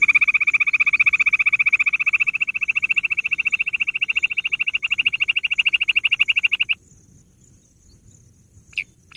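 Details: Gundri or bush quail calling: an unbroken stream of rapid, high, ringing pulses for several seconds that ends suddenly, followed by quiet with two sharp clicks near the end.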